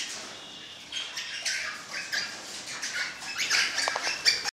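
A crimson rosella gives scratchy chatter and harsh, high squawks in uneven bursts that grow louder toward the end, with a faint rustle behind.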